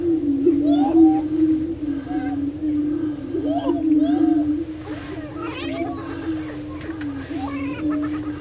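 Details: Several prairie chickens gathered on a lek in Minnesota's Bluestem Prairie Preserve near Glyndon. A continuous deep booming hum is broken by frequent sharp cackles and upswept whooping notes.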